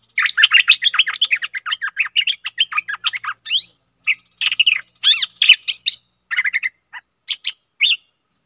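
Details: Stripe-throated bulbul song played as a decoy to lure aggressive wild birds: a dense, rapid run of bubbly, warbling notes that loosens after about four seconds into separate short chirps and twittering phrases.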